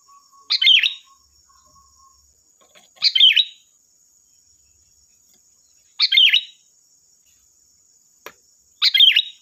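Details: Lure song of a sooty-headed bulbul meant to get other bulbuls singing: four short chirpy, bubbling phrases spaced roughly every three seconds, each a quick warbled burst, over a constant thin high-pitched hum.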